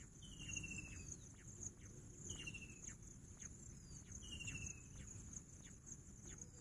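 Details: Bush quail calling: short, finely pulsed whistled notes sliding slightly downward, given three times about every two seconds, over a steady high insect hiss and low rumbling background.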